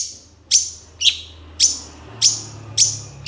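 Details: Long-tailed shrike on a songbird-training master track, giving piercing high chip notes at roughly two per second, each dropping quickly in pitch. A low droning hum runs beneath.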